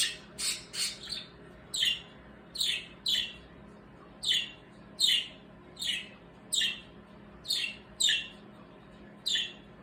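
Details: Noisy birds squawking and chirping in warning: a steady series of sharp, downward-sweeping chirps, about fourteen in ten seconds, spaced fairly evenly, with faint indoor hum beneath.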